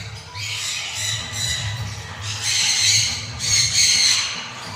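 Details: A male citron-crested cockatoo playing gives harsh, raspy screeches in three drawn-out bursts about a second apart, over a low steady hum and what may be background music.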